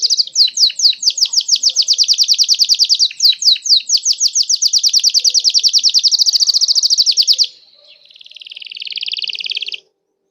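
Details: Red Belgian canary in long song, rattling off rapid repeated downward-sweeping notes for about seven seconds, then a short pause and a softer, swelling buzzy trill.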